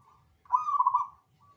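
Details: ['Zebra dove (perkutut) singing vigorously: a single rapid, rolling, trilled coo phrase of about three quarters of a second, mid-pitched with a bubbling stutter, set against quiet low background rumble.']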